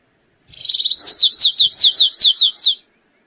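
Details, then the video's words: Stripe-tailed yellow finch singing: a rapid buzzy trill held at one pitch, then about eight loud slurred whistles, each sweeping sharply downward, delivered quickly in about two seconds against a silent background. "O Canto do Canário rasteiro"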